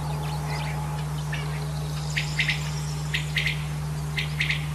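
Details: Male common quail calling, three quick bright notes per phrase, phrases repeated about once a second in the second half, over a steady low hum and faint background chirping.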